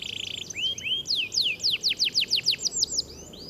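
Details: Canary singing at a bird-singing competition, in a fighting style. A fast stuttering trill leads into a rapid series of clear, sweeping chirps, repeated roughly six per second, over a steady background hum.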